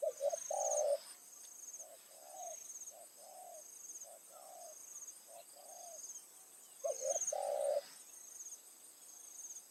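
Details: Decoy spotted dove calling at dusk near rice fields to attract wild doves. Loud double coo phrases open and close the passage, with a string of softer short coos between them and a continuous insect drone.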